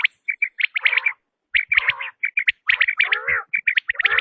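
Quail calling in quick bursts of short, high chirping notes, some run together into harsher buzzy phrases, with brief pauses between groups.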